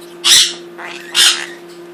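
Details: Two-year-old pet Quaker parrot, which picked up its profanity from another rescued Quaker, gives two short harsh bursts about a second apart, like a clipped spoken "what what", with a steady electrical hum beneath.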